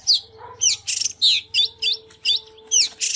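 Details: Oriental magpie-robin in full song while dancing: loud high whistles alternating with harsh buzzy bursts, each phrase short and clipped, repeated about every half second, with a faint steady tone behind.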